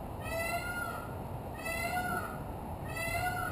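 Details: Peacock calling from a rooftop: loud, nasal, rising wails with rich harmonics, three in a row about a second apart, over steady background hiss and a constant high whine.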